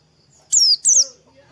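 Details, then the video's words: Oriental white-eye, a song played in the morning to stimulate a bird to sing: two loud, high, sharply descending whistled notes in quick succession. "PANCINGAN PLECI DI PAGI HARI || TERAPI PLECI AGAR CEPAT BUKA PARUH"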